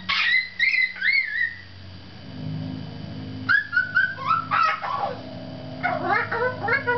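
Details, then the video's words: A female pet black palm cockatoo gives slurred, whistled notes that rise and fall in short bursts, with a pause midway, over a faint low hum; palm cockatoo call. "Black Palm Cockatoo and her beautiful call"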